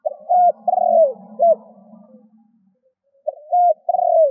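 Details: Spotted dove used as a lure for wild doves, cooing: three-part phrases, a level hoot, a drawn-out falling coo and a short final note, over a faint low hum that fades midway.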